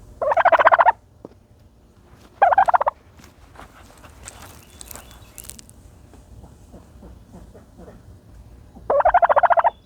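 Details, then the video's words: A turkey dust bathing gives loud rattling gobbles of quick pulsed notes, two early bursts and one near the end, with soft scratching and rustling from the dirt in between. "the special noises of a turkey bathing in dirt"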